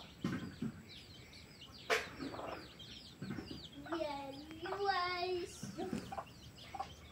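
A junglefowl rooster gives one short, hoarse crow that rises and holds for under two seconds, with low clucks and quick high chirps from small birds around it.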